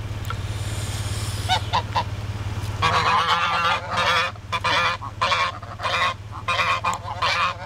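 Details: A steady car engine drone fills the first seconds. Then a band of geese blocking a road starts honking: loud, harsh, nasal bursts repeated about every half second, with a man's voice briefly heard.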